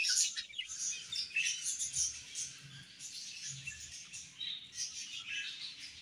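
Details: Budgie colony chatter heard softer and farther, continuous high twittering over a faint low background rumble.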